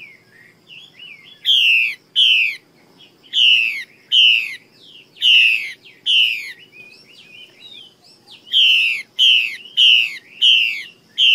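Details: Female Chinese hwamei from Vietnam's Northwest region giving loud, harmonic-rich down-slurred notes in clustered bursts of two to four, separated by quieter twisting whistles, with a steady faint hum beneath.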